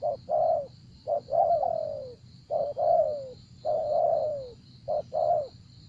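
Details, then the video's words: Decoy spotted dove luring wild doves: repeated phrases of a short coo plus a longer coo sliding downward, roughly every second, clear over a steady high-pitched whine. "Gác Cu Gáy"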